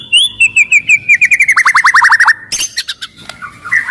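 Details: Aggressive white-rumped shama with a loud voice, singing to make other shamas sing and fight: a clear whistle, then a descending run of quick repeated notes, a fast rising trill series, and sharp clicks and short phrases.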